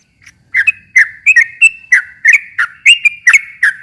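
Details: After a short silence, a sooty-headed bulbul launches into rapid chattering song, played to provoke a silent bird into responding: clipped, liquid chirps with brief whistled slides, about two to three notes a second.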